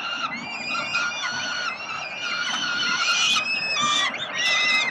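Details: Peregrine falcon chicks in Melbourne, Australia, begging as their father brings food on 30 October 2021; a continuous chorus of harmonic screaming cries growing louder and more insistent toward the end.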